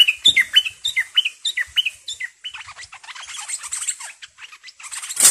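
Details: Aggressive captive bulbul used as a decoy, recorded 18 July 2021, repeating a short whistled two-part phrase about every quarter second, then breaking into fast jumbled chirping, ending in a loud burst of noise.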